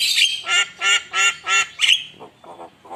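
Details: Javan myna (jalak kebo) in full, lively song used as a lure: a series of harsh, buzzy rasping notes repeated about three times a second, with high squeaky whistles at start and end, then softer rasps.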